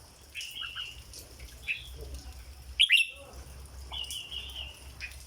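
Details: Song of a caged red-whiskered bulbul in 'dok' style: clear whistled phrases with a sharp loud rising warble in the middle, other birds' short notes and a steady high-pitched background whine.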